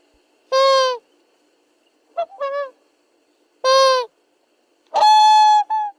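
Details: Swan calls offered as real recordings: four loud nasal, trumpet-like honks about a second apart in pairs, each rich in harmonics, the second shorter and broken, against silence.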